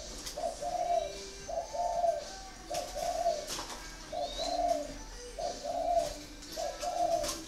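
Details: Caged spotted dove from a bird farm in Ba Vì, Hanoi, Vietnam, with the prized "thổ" voice style and red-toned, long-feathered plumage, cooing in a steady series of low, paired hollow notes, about six phrases in a row. A faint high chirp is also heard.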